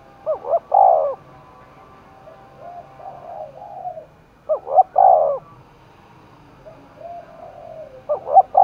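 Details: A spotted dove in Đồng Nai, worked up for a fight, coos in a steady series: three full phrases of clipped notes plus a long coo, with soft muted coos between them.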